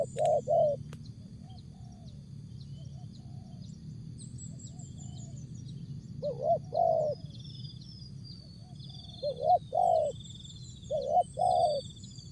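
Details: Spotted dove repeating a short jergot phrase: brief groups of two or three husky, rising coos separated by several-second gaps, while insects trill steadily and faint chirps sound high above.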